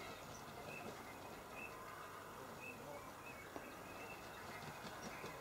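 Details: A Eurasian (green-winged) teal at Polemere nature reserve, Shropshire, England, on 26 January 2013, gives short, high, whistled peeps about once a second against a steady rumbling background noise.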